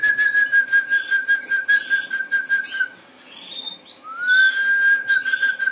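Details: Harz Roller canary song: a sustained low rolling trill, evenly pulsed for about three seconds. After a short gap a smooth upward-sliding note leads into another level roll. Soft twittering from other birds sounds behind it.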